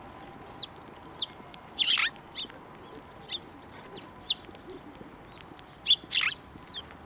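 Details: Sparrows being hand-fed at Tenmangu shrine, 15 March 2024, call with separate short, high chirps spaced irregularly, two louder harsh bursts standing out, against a quiet outdoor background.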